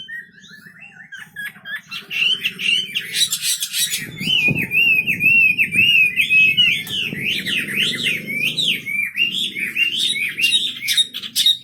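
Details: Continuous wambi bird song: rapid zigzag whistles rising and falling in a steady chain, over a low background hum and a few knocks.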